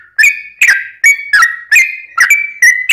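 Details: Sooty-headed bulbul song in the long rapid-trill style, used as a lure to make other birds answer: short bright whistled notes near the same pitch, each opening with a sharp burst, about seven notes in three seconds.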